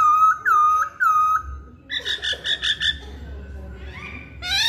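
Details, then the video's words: Hwamei song: four long, level whistled notes, then a harsh buzzy burst of five rapid pulses. The phrase ends with soft rising tones and a sharp upward slur. "Kicauan Poksay Hongkong"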